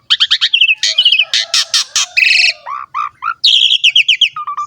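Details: Energetic song of an Asian pied starling, played to lure and tutor young starlings: fast repeated chattering notes, buzzy harsh bursts, short slurred whistles and a closing run of stuttered high notes.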